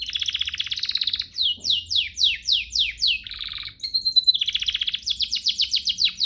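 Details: Canary master song used to train other canaries to sing readily: rapid trills of repeated high downward-sweeping notes, a buzzy rattle, a thin sustained whistle, then a fast even trill of sharp notes.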